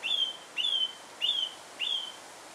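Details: Singing song thrush spotted in Alkmaar, Holland, repeating one clear, rising-then-level whistled note four times, roughly every two-thirds of a second, against quiet background hiss.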